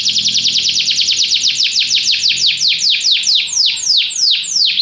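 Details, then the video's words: Singing canary giving an unbroken series of rapid, high down-sweeping notes that gradually slow and spread out toward the end of the phrase. "Canary bird | o canário canta muito bem, 25 minutos seu passarinho vai seguir"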